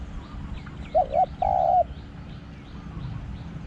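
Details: Decoy spotted dove in Thailand giving a single cooing phrase: two quick, wobbly low notes, then one sustained coo, with a series of thin, high descending whistles from another bird behind it.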